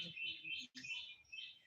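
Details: Pet rose-ringed parakeet, which the owner says is showing signs of being about to lay eggs, giving harsh, grating screeches in two bursts, each rasping call running straight into the next with a brief pause between.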